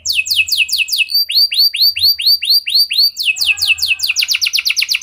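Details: Domestic canary singing a unique 'gacor' song used as a lure to set other canaries singing: a run of fast downslurred whistles, then a slower series of arched notes, ending in a rapid buzzy trill of short repeated syllables.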